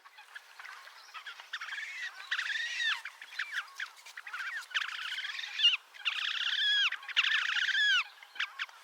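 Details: Wild Slavonian grebe at Gavieze, Latvia, in May 2024, giving repeated squealing, descending trills in bursts of about a second, with scattered clicks and a soft background hiss.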